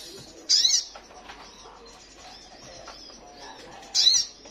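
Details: Female ruby-cheeked sunbird in heat calling for the male: two loud, sharp, high, slurred notes over three seconds apart, with a hissy background.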